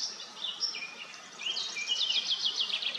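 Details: Bathing common starlings at Madocsa give a quick, high jumble of slurred whistles and clicks that grows busier and more rapid in the second half.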